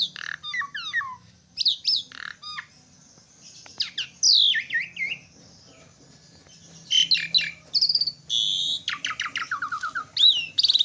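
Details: Asian pied starling delivering a lively, varied song: descending whistled slurs, harsh grating squawks and quick stuttering notes, with a quieter gap midway before loud rasping phrases resume.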